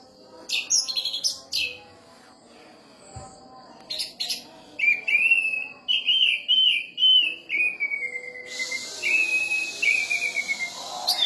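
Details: Caged orange-headed thrush, a national champion songbird with a special mimicked repertoire, singing a varied phrase: sharp high chirps, then slurred whistled notes rising and falling, closing with a bright, high buzzy burst.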